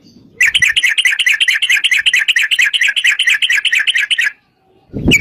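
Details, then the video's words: Long rapid trill of a sooty-headed bulbul, fighting style, used to lure other bulbuls: quick, even chattering notes, a little over two per second, for about four seconds, then a brief pause and a low thump. "trucukan gacor TARUNG ROPEL PANJANG pancingan trucukan agar bunyi jadikan burung trucuk gacor NYAUT"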